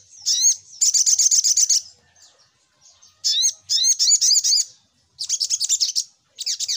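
Little Spiderhunter giving rapid bursts of sharp, high chips, several per second, in repeated runs with short pauses between; nothing else is heard.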